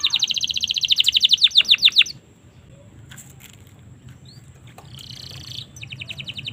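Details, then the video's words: Domestic canary singing, a recording meant as a tutor and provoking song for young canaries: a fast run of rapid, evenly repeated high chirps for two seconds, a pause, then the quick trill resumes. "suara burung kenari"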